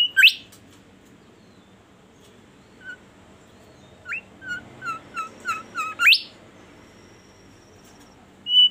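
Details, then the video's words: A Chestnut-backed scimitar babbler calls: loud, sharply rising whistled sweeps open and close a run of about six short, hollow, falling notes, each under half a second apart, in quiet background. "burung bimoli gacor merdu suaranya"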